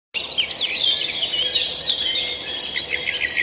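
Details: Dense chorus of high, bright bird song: rapid twittering trills and chirps layered over each other, steady throughout with no other clear sounds.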